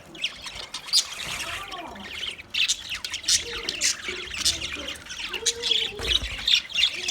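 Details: Budgerigars chirping while eating food: a dense, continuous chatter of high, scratchy chirps and short squawks, with a few lower, softer warbled notes mixed in underneath.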